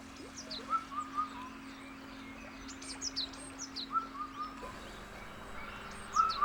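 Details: Indian cuckoo gives short, clear whistled notes in a mid pitch, spaced a few seconds apart, over high chirping from other small birds and a low steady hum; a viewer identifies the sound as Lesser cuckoo instead; Korea, rice paddy before transplanting.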